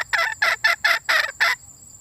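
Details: Female red junglefowl calling for a mate: six loud, harsh, raspy clucking notes in a quick even series over about one and a half seconds, then silence, over a steady high-pitched insect whine.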